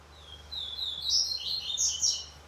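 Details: Double-collared seedeater singing: a quick run of high, slurred whistled notes with buzzy trills, rising and falling over about two seconds, against a faint steady background hum.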